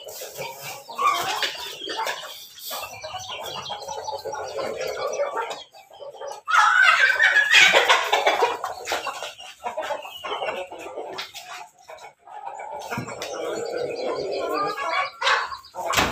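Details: Crossbred chickens from Pelung, Bangkok and Ketawa lines gathered for morning feeding; overlapping clucks and chatter from many birds, with a louder, higher burst of calling midway and a steady busy background.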